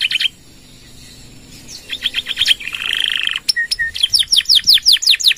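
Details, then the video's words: Gacor canary with long 'nembak' song and 'gereja' fill for training other birds: a short burst, a quiet stretch, rapid chips, a buzzy trill, two flat whistles, then loud swooping whistled notes in quick succession. "Suara Kenari Gacor | Full Nembak Panjang!!"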